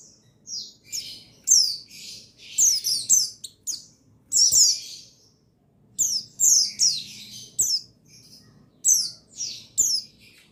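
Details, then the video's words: Dense, lively song of a male buxtoni white-eye, recorded 8 August 2021 to stimulate white-eyes to sing: rapid high-pitched chirps and descending trills, nearly twenty bursts packed closely together, at times overlapping. "Buxtoni Menaikan Emosi Burung Pleci Bahan Agar Pleci Bustomi Gacor Cepat Bunyi"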